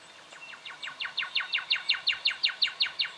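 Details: Juvenile brown goshawk from Victoria, Australia, October 2011, giving a fast, even chatter of short harsh notes, nearly three per second, growing louder as it goes.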